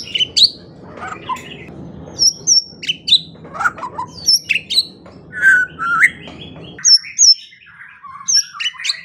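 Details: White-rumped shama training song for morning and evening, used to get quiet songbirds to sing. Clear high whistles and sharp upslurred notes come in separate bursts over a low, steady background hum.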